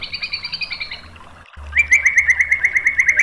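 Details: White-rumped shama song used to train and lure birds: one rapid, even trill that fades out, then a second steady fast trill of repeated clipped notes.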